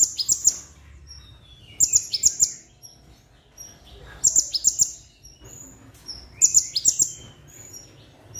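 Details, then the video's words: Sunbird kept as a songbird, giving short, very high, thin bursts of sharp chirps and quick downslurred notes, repeated about every two seconds against a quiet background; brown-throated sunbird. "Masteran Konin"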